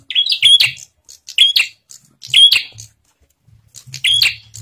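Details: A bar-winged prinia sings vigorously, its song used to draw out other prinias: shrill, clipped twin-note chirps in four bursts about a second apart, with quiet low thuds underneath.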